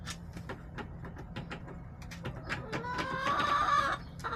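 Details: Backyard chickens on March 30, 2024: sharp pecking-like clicks scattered through, then a short run of harmonic, nasal clucks toward the end, against a steady low hum.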